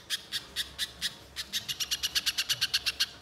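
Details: Banana spiderhunter, played to coax another bird into song, starting with slow spaced harsh notes that speed into a tight rapid run of chattering chips toward the end.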